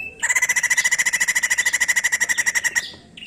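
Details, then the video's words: White-crested laughingthrush song used to stimulate other birds into song: one continuous fast run of about twenty-five buzzy, evenly spaced pulsed notes over two and a half seconds. "Sekali putar Burung poksay Jambul langsung bunyi"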